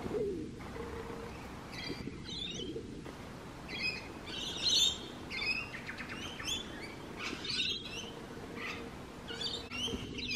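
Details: Rainbow lorikeets chattering and screeching, a dense irregular stream of harsh, buzzy notes from several birds, loudest near the middle, over a low background hum.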